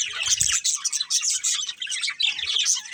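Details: Budgerigar breeding pair with lively, rapid, squeaky warbling and twittering chirps that run almost without pause, opening with a low thump.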